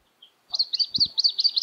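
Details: Juvenile Australasian grebe begging while an adult catches yabbies and feeds it, Littlehampton, South Australia, 13 October 2020; a rapid series of high, squeaky peeping notes, about six per second, with a brief low thump midway.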